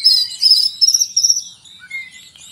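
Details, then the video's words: Oriental magpie-robin giving cricket mimicry: a dense, very high, shrill chirring rattle in repeated bursts, followed by a short falling whistle and softer notes. "Kacer mewah full isian jangkrik"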